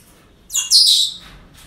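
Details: Single parrot call recorded at a breeding centre, a grating double-pulsed squawk lasting about half a second, the second part louder and longer, against a near-silent background.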